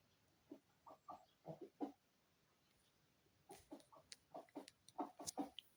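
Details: A rooster waiting beside his hen while she lays an egg gives soft, low clucking notes in two bursts of about five short calls each, a couple per second, with faint rustling between.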